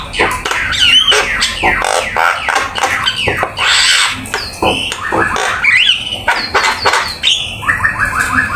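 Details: Full-content black-winged myna master song for training birds: harsh squawks, descending whistled slurs and scratchy notes, ending with a run of short repeated notes in quick succession.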